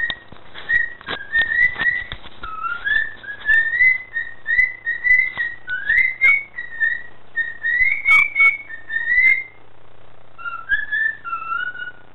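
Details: A male cockatiel sings a run of clear whistled phrases, sliding up and down, with a few soft clicks.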